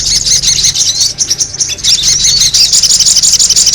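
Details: Noisy sogon bird calls used as a lure: a dense, high-pitched, squeaky chatter of rapid overlapping notes that runs almost without pause, dipping briefly near the middle.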